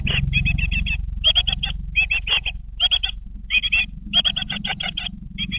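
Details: Great tit young, 20 days old, in a webcam nest box keep up a steady, uneven stream of short rasping chirps in tight clusters of two to six, over low rumbling noise.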